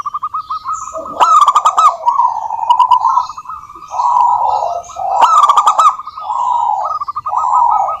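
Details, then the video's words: Local zebra dove singing vigorously, used as a lure to prompt other doves to sing: repeated bursts of quick cooing notes, alternating with lower rolling phrases, with sharp clicking notes and faint high chirps of other birds behind. "suara burung perkutut lokal gacor COCOK untuk pancingan perkutut agar bunyi"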